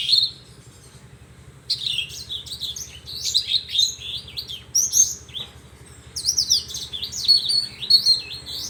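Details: Horsfield's bush lark singing a varied, quick medley of high, sliding, warbled notes and chirps in short phrases separated by brief pauses, clean with almost no background noise.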